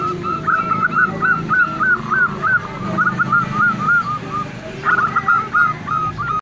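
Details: Calling female zebra dove, a local bird used as a lure to provoke excited mating calls from males: rapid clipped coos in two runs separated by a short gap, over steady low background noise.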